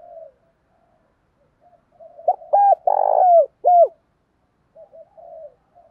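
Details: Spotted dove cooing: soft, low hooting notes, then a louder run of four or five hollow, evenly pitched coos bunched together mid-phrase, trailing off into faint quieter coos near the end; otherwise a quiet background.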